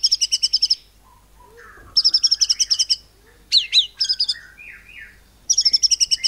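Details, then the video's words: Singing white-rumped shama delivering cililin-style mimicry to provoke other birds into song: three bursts of rapid, even, high machine-gun notes separated by quieter low warbles and a pair of steep downslurred whistles. "Murai Batu Nembak Cungkok Cililin ini AMPUH Memancing Burung Lain Jadi GACOR"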